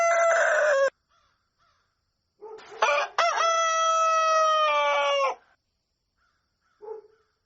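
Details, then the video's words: At dawn a rooster ends one crow, pauses, then gives a full crow: a rough stuttered start breaking into a long, steady, loud drawn-out note for about three seconds, followed by a faint cluck. "Galo Cantando Ao Amanhecer | Som De Galo Cantando"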